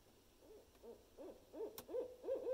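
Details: Barred owl vocalizing with the seldom heard "monkey laugh": arched, yelping hoots start softly and build in loudness and speed into an excited cackle, with a brief sharp click partway through.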